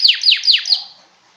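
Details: A canary sings for mating: four bright, high notes, each sweeping sharply downward, delivered in quick even succession before the phrase fades into silence.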